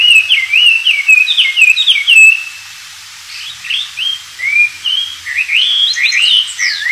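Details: Wild Oriental magpie-robin singing vigorously, recorded to train white-rumped shamas. Fast rippling whistled phrases, a second of quiet, then separate clear slurred notes building into a quicker mix of rising and falling whistles.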